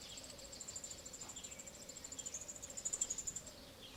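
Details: Eurasian wryneck chicks being fed termites, ants and other insects by their parents at Alzira, Valencia, in May 2016, beg with a very high, rapid, insect-like buzzing, pulsing about ten times a second and swelling before stopping abruptly.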